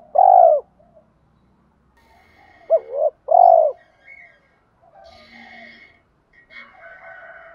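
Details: Spotted dove decoy calling to stimulate wild-caught doves: a loud low coo, then a hooked double coo and long coo, followed by thin higher chirps of other birds.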